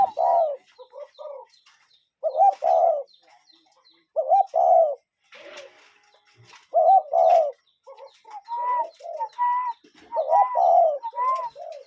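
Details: Cuckoo calling outdoors with clusters of mellow two- and three-note hoots, spaced by pauses of about a second, the later phrases adding a clearer higher whistled note; faint high chirps in the background.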